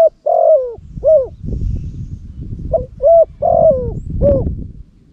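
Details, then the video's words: Two back-to-back cooing phrases from a Cambodian decoy spotted dove kept for luring, with mellow, slightly rolling coos that slur downward at each phrase's end. Low rumbling noise fills the gaps. "លលកធ្នាក់សំលេងធំទ្រូលបរ (ស៊ីដាំ) -Terbaik Pikat Terkukur Cambodia"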